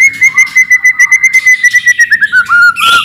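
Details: White-rumped shama delivering a rapid lure phrase to make other shamas respond: about fifteen crisp whistled notes in quick, even succession, slowly dropping in pitch, closing with a harsh burst.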